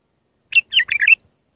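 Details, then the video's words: An Iraqi bulbul gives a raw Mandalawi song for teaching fledglings, a single compact phrase of four or five liquid, slurred notes swooping up and down, delivered in under a second. "تغريد بلبل عراقي خام مندلاوي راقي ساعة كاملة التعليم افراخ البلابل"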